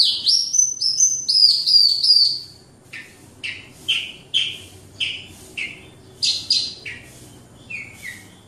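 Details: Caged Horsfield's bush lark of the Wates type from Java, kept in a collection, singing vigorously: a run of bright high whistles sliding downward, then a fast series of short, sharp chirped notes about three per second, over faint low background hum.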